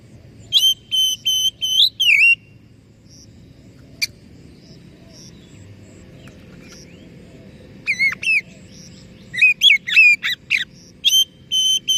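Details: Oriental magpie-robin in full song, meant to coax a stressed bird that stopped singing: a burst of pure whistles and trills, a long quiet gap with faint soft notes, then renewed bursts of clear repeated whistles.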